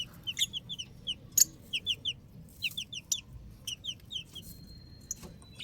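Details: Chicks peeping: clear, high, falling cheep notes, often in quick pairs or short runs, repeated steadily with short gaps between bursts, over a quiet low background hum.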